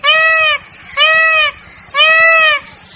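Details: Peacock giving loud nasal wailing calls, three long harmonic-rich notes about a second apart, each slightly arched in pitch, with faint background noise.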